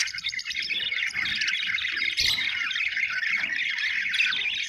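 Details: Happy budgerigars, called Australian birds, producing a thick, grating chatter of buzzy chirps and warbles, almost without pause, with a few soft thumps in the background.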